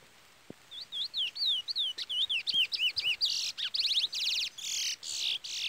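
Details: Brown-plumaged chestnut-bellied seed finch (curió) in the Trola or Trolinha song style, with a chick peeping nearby: clear whistled slurred notes rising and falling, then a fast buzzy trill and harsh rasping bursts to finish.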